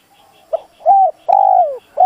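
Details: Decoy spotted dove calling to draw in wild doves: a quick soft note, then a rounded coo and a longer falling hoot, with faint repeated high chirps behind.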